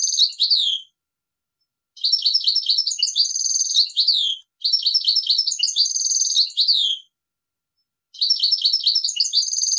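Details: A goldfinch sings repeated high, tinkling phrases about two to three seconds long, each a fast string of chirps, trills and buzzy notes separated by short silences; background clear.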